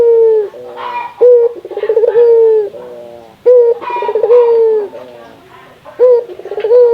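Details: Local spotted dove in Indonesia calling to encourage other doves to sound off: stuttering trills leading into long steady coos, phrases repeating at an irregular pace of roughly every two to three seconds.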